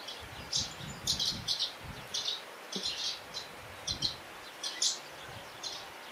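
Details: High, short chirping calls of Eurasian crag martins in Portugal, given in loose pairs and triplets about every second, with soft low thumps and steady ambient hiss.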